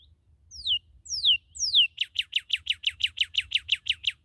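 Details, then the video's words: A newly captured red cardinal sings three long, loud whistles sliding steeply downward, then a rapid steady series of about fifteen short repeated whistled notes, with faint low background hum. "Nueva Captura de Cardenal Rojo"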